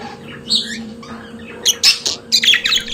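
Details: Pet budgerigars singing: a soft whistled note, then a quick series of sharp raspy chirps in the last second, with a steady hum behind.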